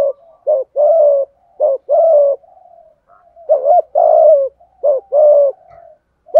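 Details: Full cooing song of a spotted dove, 'giọng thổ' voice with 'thúc gù': paired low coos, a short hooked note then a longer sliding coo, repeated steadily in a clean, quiet setting.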